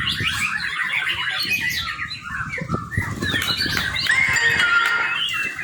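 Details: Young white-rumped shama, recorded as a lure for training, singing chattering notes, then a clear drawn-out whistle falling in pitch, over constant rustling and fluttering noise.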